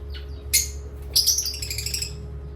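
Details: Baby parrot at playtime giving a thin rising note, a sharp chirp, then a tumbling run of bright, scratchy chirps, over a steady low hum.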